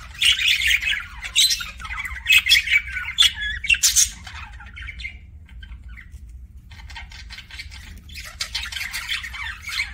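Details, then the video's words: Pet budgie making kissing sounds: four seconds of loud squawky clicks and chirps, then a quieter stretch of soft scratchy murmurs, before another burst of chatter near the end. "BUDGIE KISSING SOUNDS"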